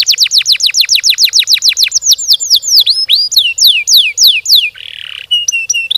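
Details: Canary singing long rolling gacor song, a fast series of bright downslurred whistles about four per second, then slower swooping notes and a short buzzy trill near the end.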